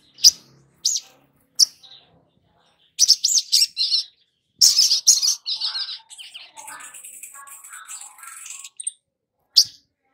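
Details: Lure song of the long-billed spiderhunter for young kept birds. Isolated sharp high chips lead into dense bursts of harsh chattering and a fading, rapid, twittering tail.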